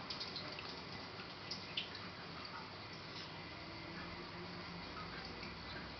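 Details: Indoors, a tap runs steadily into a sink with small splashes and drips, and no animal call stands out.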